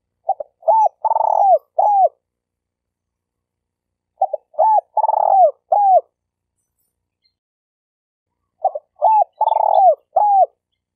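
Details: Spotted dove call used as a hunting lure and for training newly caught birds; three even phrases about four seconds apart, each of short rising-falling coos around a longer rolling note.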